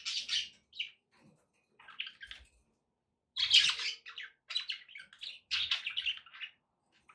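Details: Budgerigar chatter for encouraging a pet parrot to eat and sing: scattered squawky chirps, then after a pause a lively burst of raspy warbling phrases.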